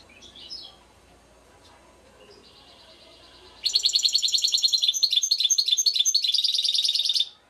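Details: Goldfinch mule, or baster, first holds a steady high tone for about a second, then bursts into a rapid, loud tinkling twitter of rippling notes lasting around three and a half seconds.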